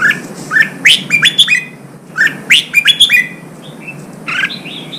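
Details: Red-whiskered bulbul song played to stimulate fighting: two bright phrases of quick whistled notes sweeping between low and high pitch, each about a second long, followed by softer steady whistles, over faint background hiss.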